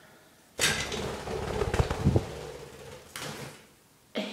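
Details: Indoor clatter: a door or drawer slides and knocks several times in a small room, with no bird voice heard.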